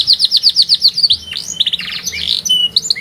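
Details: Strong-voiced canary song with a distinctive rhythm, opening with quick repeated downslurred chirps about four per second, then breaking into varied buzzy rolls and rising whistles, high and bright throughout.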